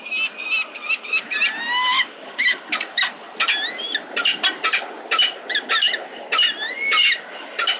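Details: Peregrine falcon at a building-top nest with eggs, 26 August 2022, as a mate returns with breakfast and offers to tend the eggs, gives a run of high, squeaky chipping calls, some rising and some falling, about two per second.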